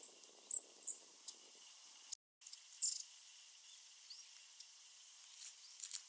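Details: Long-tailed tit (Hokkaido form, shima-enaga) in snow, flitting about rapidly, calling: a few thin, very high, brief notes scattered over several seconds against a steady background hiss.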